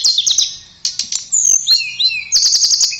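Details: Melodious, energetic song from a blue flycatcher (tledekan): rapid high chattering trills open and close, with smooth slurred whistles gliding down and up between them.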